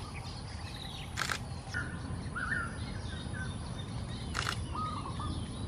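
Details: Early-morning nest building by wild golden-backed weavers in trees growing in a Singapore pond: a few raucous chattering calls between two sharp clicking bursts, over a dull low rumble.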